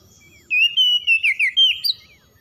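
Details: Morning song of an oriental magpie-robin, used for stressed birds' recovery: one brisk phrase of about seven quick whistled notes, wavering and ending on a higher upward flick.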